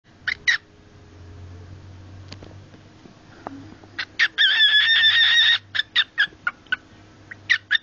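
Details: A male pet cockatiel makes a strange noise when shown cloth, here a smelly sock: sharp, harsh squawks in quick bursts, then a sustained screeching call about a second long, followed by more clipped squawks.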